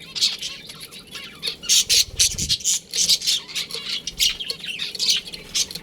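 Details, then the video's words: Several budgerigars from a colony with a breeding pair chatter loudly: rapid, harsh high chirps and squawky notes come in dense, uneven bursts nearly without pause, with a soft low thump near the middle. "Adorable Budgies Chirping Sounds"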